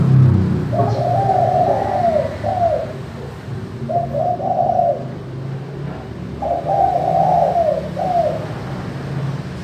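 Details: Spotted dove calling in the clear manggung style, used to coax lazy doves into calling: three separate phrases of two or three mellow rolling coos, spaced by pauses, over a steady low rumble.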